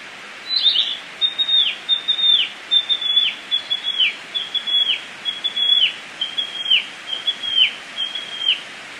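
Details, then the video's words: Flycatcher known as tledekan, singing freely in nature in Indonesia: a regular string of about nine high whistled notes, each ending in a downward slur, roughly one per second, over faint hiss. "Tledekan kembang gacor di alam"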